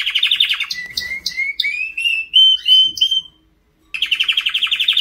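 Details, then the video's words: White canary in song, opening with a fast rolling trill, then a run of short whistles climbing step by step, a moment of silence, and another rapid pulsing trill. "White Canary Singing"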